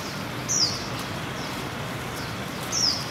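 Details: Swinhoe's white-eyes among blooming Fuji cherry trees in urban Taipei (Zhongzheng District) on 12 February 2023 give two thin, high, slightly falling notes about two seconds apart, with fainter calls between, over steady hum and photographers' shutter clicks.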